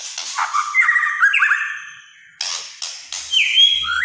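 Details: White-rumped shama in loud, vigorous song: rich whistled phrases around mid pitch, sliding and stepping notes mixed with harsh rasping bursts, a brief quiet gap, then more clear whistled notes ending in a rising slur.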